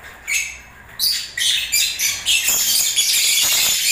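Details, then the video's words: During breeding season, lovebirds build from scattered squeaks into rapid, harsh, high chattering, about three or four notes each second, running continuously through the second half. "Love birds singing and movements"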